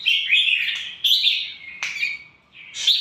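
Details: ['Caged red-whiskered bulbul of an Indonesian fierce line giving rich, liquid whistled phrases that slur up and down, with one sharp downward note near the middle and a brief gap before the final phrase.']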